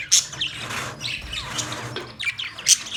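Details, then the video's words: Budgerigar chirps in short bursts: a sharp high squeak at the start, scratchy warbled phrases, then a bright piercing chirp near the end. "Budgies chirping sound"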